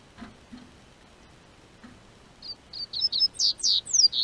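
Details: Double-collared seedeater singing in southern Brazil as spring weather warms: a few soft knocks, then from mid-clip a fast series of high, clear whistled notes, some sliding downward, growing louder toward the end.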